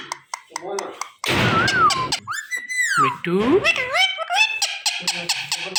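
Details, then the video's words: Indian ringneck parakeet kept as a pet, loud and energetic: a harsh noisy burst, then smooth descending whistled glides and wavering speech-like syllables, with sharp clicks throughout. "Mithu Mithu ki Pyari Awaaz | Indian Ringneck Green Parrot"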